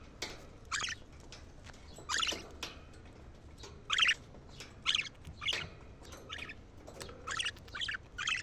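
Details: Budgerigar chirping to excite birds and stimulate female mating: repeated rasping, chattering bursts roughly every half second to second, varying in loudness, with faint clicks between.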